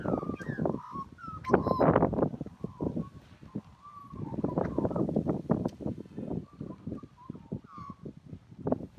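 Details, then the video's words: Warbling song of an Australian magpie: a run of gliding whistled phrases at the start, scattered shorter whistles later, all overlaid on dense low crackling noise. "Australian magpie's melodious call"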